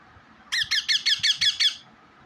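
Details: Pet parrot giving a quick run of seven shrill, grating squawks in even rhythm, lasting just over a second, against quiet background hiss.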